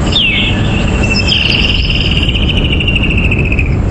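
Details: Woodland kingfisher, a summer-months call, on a morning safari drive at Djuma Game Reserve on 16 November 2015: a sharp high note, then a long, fast, slightly descending trill lasting over two seconds, over a steady low rumble.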